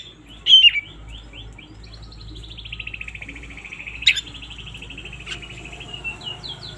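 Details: Morning song of an oriental magpie-robin, used as a lure to rouse lazy birds: a sharp whistled opening note, then a long, even run of rapid repeated notes sliding slightly downward, ending with short chirps.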